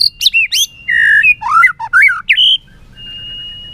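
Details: A white-rumped shama sings competitively with tail flicks, giving rapid high notes, a steady whistle, then a tumbling series of slurred up-and-down phrases ending in a bright rising note, a faint steady tone trailing after.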